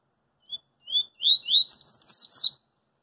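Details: In the street, a double-collared seedeater sings its 'coringa' phrase, opening with brief clear whistles that lengthen and rise, then breaking into a fast cascade of high, downslurred buzzy notes.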